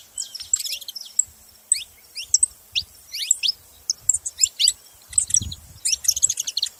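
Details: Saffron finches give scattered bright chirps and short descending sweeps, spaced in loose clusters. Faint low thumps run underneath, with a brief rumble near the end.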